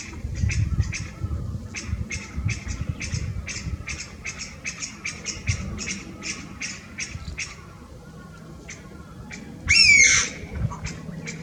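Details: Chinese bamboo partridge male perched on a branch about 3 m above ground, not singing, recorded 11 March 2023: a loud harsh rising-falling "pyaa" near ten seconds over steady rapid short "pyu pyu" notes from more partridges behind.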